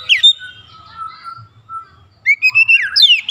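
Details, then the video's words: White-rumped shama song used as a lure to provoke other shamas to sing: a loud burst of rapid, rising and falling whistled notes after a quiet pause, with a faint low hum beneath. "PANCINGAN KACER ANTI BISU mancing Kacer lain cepat emosi dan gacor"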